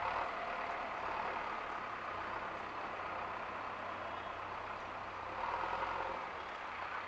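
A vehicle engine idles with a constant hum and low drone, growing slightly louder near the end, with no animal calls heard.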